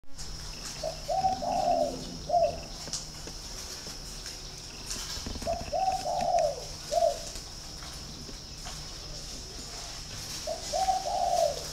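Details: Spotted dove kept at a bird farm in Ba Vi, Hanoi, Vietnam, giving a hoarse cooing phrase: a long rolling coo then a short clipped note, repeated about every four to five seconds, with a steady high hiss behind.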